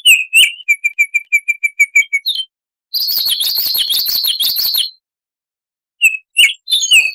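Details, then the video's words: Baltimore oriole singing in a wild, forest style: a quick run of about ten evenly spaced, clipped whistles, then a two-second harsh buzzy chatter. After a pause come a few richer whistled notes. Clean, with no background noise. "Suara Tembakan Unik Burung "Baltimore Oriole""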